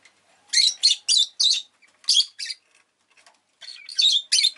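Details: Pet rosy-faced lovebird calling in a run of shrill, buzzy chirps, four close together, then a pair, a pause, and three more, irregularly spaced.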